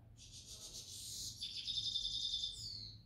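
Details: Grey-headed goldfinch singing in the evening: a continuous, bright, high-pitched twittering song of fast trills and buzzy tinkling notes, changing to a lower, steadier trill midway and ending in a short descending twitter, with a low background hum.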